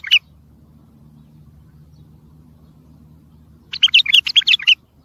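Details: Bulbul singing for training young birds: a brief clipped note at the start, a quiet stretch with low background hum, then a one-second phrase of loud, quick, jumbled warbles.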